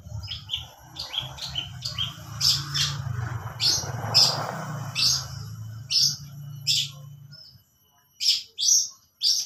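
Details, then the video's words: Long-tailed shrike imitating lovebird song: bright, high chirps repeated in quick bursts over low background rumble, then a brief pause before three more loud, shrill notes. "Burung pentet isian burung love bird"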